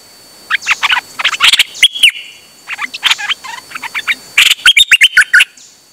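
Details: Dok Taeng bird singing continuously on 8 September 2023, a dense stream of varied chirps, short buzzy notes and bright whistles in quick succession with hardly any pause.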